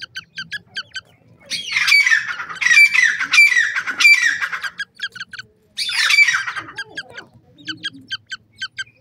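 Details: Grey francolin chicks feeding on termites; loud harsh squawking bursts with rich overtones alternate with quick runs of short, high, clipped peeps repeated in quick series.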